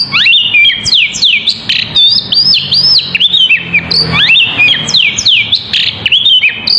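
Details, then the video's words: Oriental magpie-robin of the poci type, singing continuously as a lure to draw other birds into answering: loud, fast whistled phrases, swooping up and down, with sharp chips packed densely together and faint low hum beneath. "Burung Poci // Kacer gacor cocok untuk pancingan"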